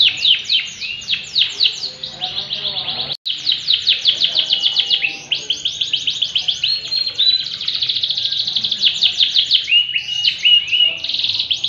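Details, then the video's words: Canary singing nonstop: dense, rapid trills and sweeping whistled notes packed high in pitch, with a brief silent break around three seconds before the rolling chatter resumes. "kenari bon kuning gacor"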